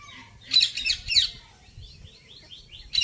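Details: Indian ringneck parakeet, a talking parrot, giving loud harsh screeches, then a series of soft, short chirping notes and a final shrill squawk.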